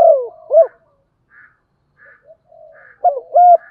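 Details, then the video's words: Spotted dove decoy cooing to attract wild birds; a falling slurred coo and short hoot at the start, faint murmured notes in between, then a doubled coo at the end. "Chim Cu Mồi Gáy Nhiều_ gáy gọi bổi nhanh gáy và tập mồi hiệu"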